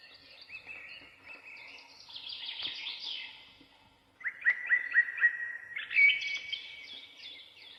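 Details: Bird chirping: bright, varied twittering phrases at a high pitch, then a quick run of short, sharp chirps repeated several times a second, ending in higher warbled notes.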